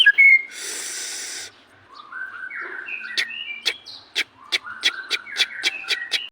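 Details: White-rumped shama (murai batu) singing: a noisy burst, then a series of short whistled notes stepping up and down in pitch, followed by rapid sharp clicks repeated about four times a second alongside whistles.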